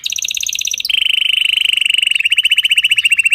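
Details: Canary holding a rapid rolling trill, first higher then dropping to a lower sustained rolled tone that breaks into distinct pulses near the end.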